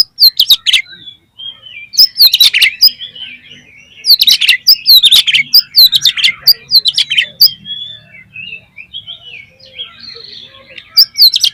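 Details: Loud, fluent lure song of an Oriental magpie-robin meant to stimulate other magpie-robins to sing; repeated bursts of rapid, piercing chirps and whistled slurs every couple of seconds, separated by softer rambling warbles.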